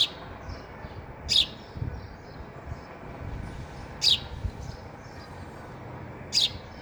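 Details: Sparrow eating at a feeder, giving short, sharp high chirps spaced about every two and a half seconds, three in all, over a low background rumble with faint soft twitters between them.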